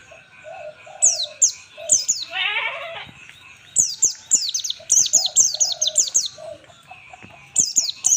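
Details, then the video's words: White-eye (pleci) singing in the ngalas style, used as a master recording for training birds: bursts of rapid, very high, sharply descending notes, with a harsher lower chattering burst in between. "pleci full ngalas standar"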